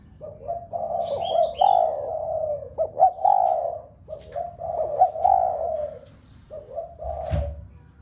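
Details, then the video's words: Spotted dove giving a stimulating coo meant to set other home-kept doves cooing. Several deep, smooth coo phrases follow one another, each ending in a drawn-out note, with brief faint chirps overhead and a thump near the end. "Cu gáy gáy thúc cả bầy cu ở nhà gáy loạn. tiếng chim cu gáy kích bổi nhanh nổi nhất"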